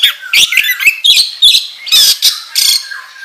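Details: An oriental magpie-robin sings for a training lure. Quick rising whistles give way to harsh, loud squawking bursts and chattering notes.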